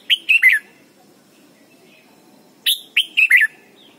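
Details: A red-whiskered bulbul gives two quick bursts of three or four bright, warbled whistled notes, about two seconds apart, over a faint background hum.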